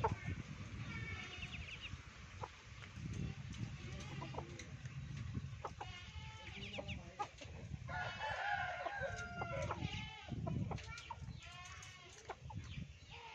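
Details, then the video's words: Laughing chicken (Ayam Ketawa) crowing in several separate bursts of rapid, stuttering harmonic syllables, each burst lasting about one to two seconds, over a steady low rumbling background. "ayam ku ketawa santai"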